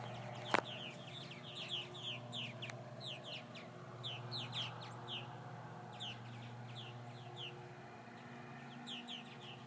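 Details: Several purple martins after repeated hawk attacks give a stream of short slurred chirps, some rising and some falling, with a sharp click near the start and a constant low hum behind.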